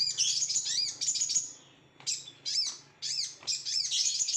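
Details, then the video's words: Sooty-headed bulbul, excited and over-emotional singing: bursts of high, chattering notes with quick rising and falling whistled slurs, broken by short pauses, over a faint low hum. "Sogon over emosi"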